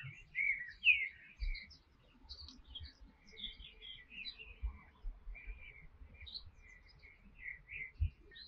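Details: Canary singing: scattered high chirps and short twittering notes, with a couple of louder rising whistles near the start and sparse soft low knocks beneath.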